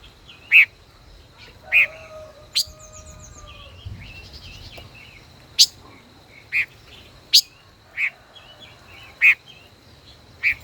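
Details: Five-colored bird, a decoy in a cage more than a year, dueling in song: a long run of sharp chips about every second, interspersed short warbled phrases and a faint steady tone.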